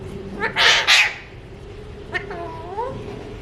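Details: Alexandrine parakeet talking in two loud breathy speech-like syllables, followed after a pause by a click and a softer wavering harmonic phrase rising at its close.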